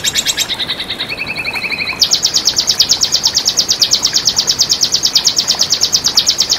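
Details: Red siskin song opens with a few high chipping phrases and a short lower trill, then breaks into a long, even, buzzy train of very high notes repeated about three times a second.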